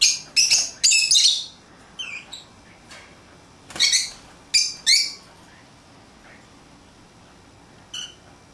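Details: Lovebirds kept as new pets, out of their cage and playing, produce a rapid series of shrill, harsh chirps and squawks, several clustered bursts in the first five seconds, then a pause and one faint final chirp.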